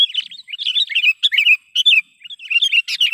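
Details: Lure call of a sooty-headed bulbul, meant to attract and excite wild birds for trapping: a dense, continuous stream of quick, gurgling chirps and slurred notes, broken by brief pauses.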